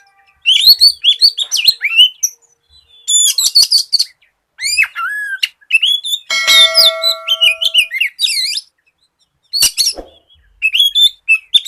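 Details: Energetic Oriental magpie-robin song, played to coax untrained birds of its kind into singing fast. Rapid bursts of varied whistles, chips and looping slurs, with one steady tonal ringing note partway through.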